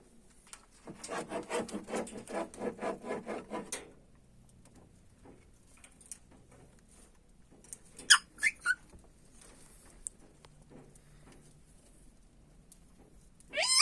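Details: African grey parrot giving a rapid pulsed, rasping chatter for about three seconds, followed by quiet gaps, a few short sharp chirps, and a rising squeak at the end.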